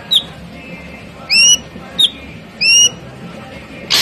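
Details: Ashy drongo singing. Two sweeping, rising whistles alternate with short sharp notes against a quiet background, ending in a brief harsh burst.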